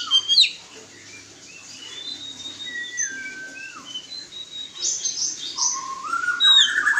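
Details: White-rumped shama during a mating pairing, singing long descending whistles and varied warbled phrases, closing with a rising series of quick notes.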